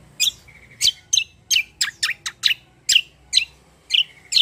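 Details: Black-winged myna singing loud and vigorous 'ngeroll' song: a dense run of sharp, high squawking chirps roughly every third of a second, mixed with short whistled slurs.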